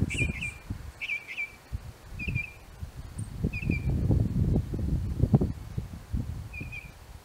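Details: Northern mockingbird singing from an apple tree, delivering short trilled, warbling phrases repeated a few times with gaps of about a second between them, over continuous low rumbling noise.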